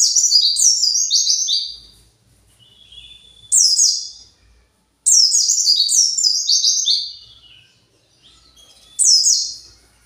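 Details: White-eye kept in a cage, worked up and calling for its flock, repeats high buzzy chattering phrases of quick falling notes, long bursts alternating with short ones and gaps of silence.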